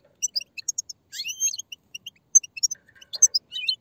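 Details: Group of European goldfinch chicks begging to stimulate males to sing: many thin, high, short tseep notes scattered irregularly, with a few brief upward-sliding whistles and soft twittering.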